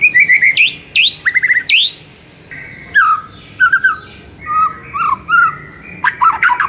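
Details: White-rumped shama training song to wake a mute bird: rapid notes ending in sharp upsweeps, followed by softer fluty slurred phrases and a closing burst of clicks.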